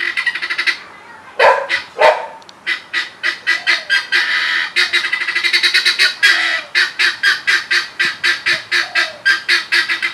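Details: A turkey chirping: a loud, rapid series of harsh, honking notes with rich overtones, roughly three per second, a few stronger drawn-out calls near the start, then steady repetition to the end.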